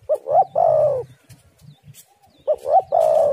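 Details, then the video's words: Lure recording of a spotted dove to get other doves calling: two loud, clear phrases, each a quick pair of short coos followed by a long, smooth, slightly falling crooo, with a quiet gap between. "tekukur super gacor suara indah"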